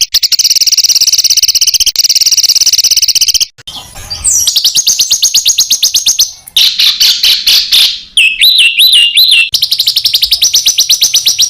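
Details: Compiled master birdsong with full rapid-fire filler for contest birds. A long high buzzing trill, a scratchy rising phrase, a fast rattle, three looping rising-falling whistles, then another dense high trill.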